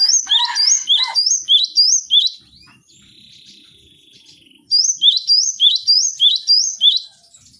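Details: Cinereous tit song from a training recording for cage birds: bright two-note whistled phrases, each dropping then rising, repeated about three times a second in two bursts, with a thin buzzy note in the pause.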